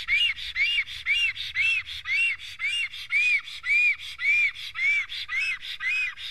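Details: Black storks at a nest in Estonia as a strange stork visits: arched, whistled notes repeated about twice per second in a steady series, with a faint low rumble underneath.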